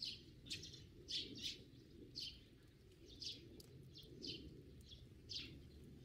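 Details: Sparrows giving brief, sharp chirps at irregular intervals, sometimes doubled, set against a soft low-pitched outdoor rumble.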